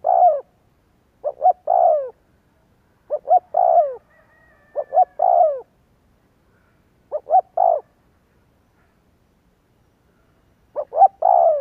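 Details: Spotted dove lure cooing: five phrases of short clipped notes ending in a drawn-out falling coo, separated by gaps of one to three seconds, otherwise silent.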